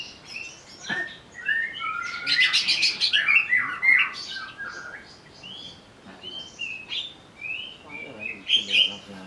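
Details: Greater green leafbird pushed into excited singing: a busy jumble of sweet whistles, sliding notes and scratchy buzzy bursts that runs almost without a break.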